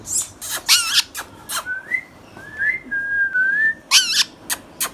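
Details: Hand-tame green Indian ringneck parakeet kept as a pet, making natural sounds: short harsh broadband screeches alternate with clear whistled notes that slide and waver around the middle of the range, with quiet indoor background.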